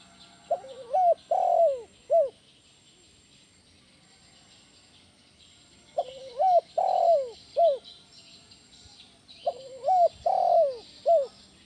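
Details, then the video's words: Loud 'kuk 1' lure coo of a spotted dove, meant to attract and train other doves. Three repeated phrases: a wavering run of short notes rising into a drawn-out descending coo, then a brief end note, with quiet gaps. "SUARA BESAR PANCINGAN TEKUKUR KUK 1 GACOR"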